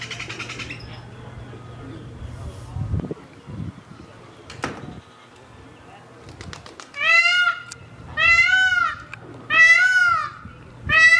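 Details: Male Indian peafowl giving mating calls up close on a morning at Tule Springs: after quieter stretches with a brief voice, loud wailing, nasal honks ring out in three or four bursts, each about a second long with arched harmonics.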